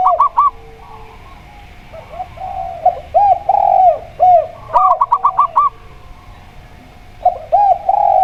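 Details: Local zebra dove, used as a lure to set other birds singing, alternating with a spotted dove: quick bursts of clipped high cooing notes against deeper, rounded double coos, repeating in several phrases with short pauses.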